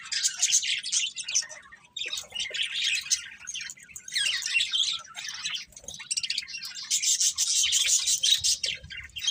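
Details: Several budgerigars in continuous, busy chatter: scratchy, buzzy chirps and warbles running together with only short breaks.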